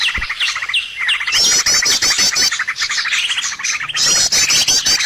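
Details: Lure sound for catching birds: a few separate upslurred chirps open, then a thick burst of rapid high trills and twittering from several birds continues to the end.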